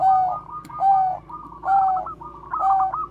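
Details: Bangkok zebra dove cooing as a lure for other doves: low sustained coo notes alternating with rapid stuttering rising notes, phrases repeating roughly every 0.9 seconds, in a quiet indoor-sounding space.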